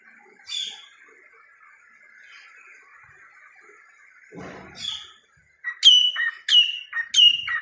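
A cockatiel sings bright whistled notes, ending in three quick repeated falling chirps.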